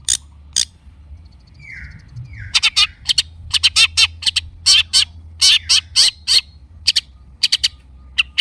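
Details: Long-tailed shrike recorded as a lure to provoke caged birds into singing. Two soft, down-slurred whistles give way to a rapid string of loud, dry, clicking chips, delivered in irregular clusters.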